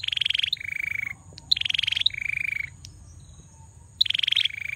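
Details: Loud, vigorous song of a male bar-winged prinia, with high rapid pulse runs each followed by a lower even buzz, delivered in quick succession, then a short break before the next phrase.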